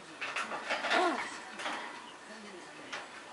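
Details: Captive grey parrot singing indoors while practising a song, now and then clearing its throat; a run of quick speech-like syllables with a brief wavering tone near the middle, then quieter murmurs.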